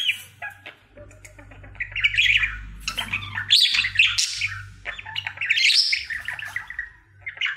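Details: Male pet budgerigar singing his daily routine: scratchy, buzzy warbles rising into loud chattering bursts, with clicks and squeaks, over a faint low hum.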